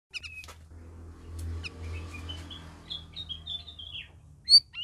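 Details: Captive red-whiskered bulbuls kept as a group, in their first week of care: short whistled phrases near the upper range, partly sliding and wavering, scattered between sharp clicks and a low hum.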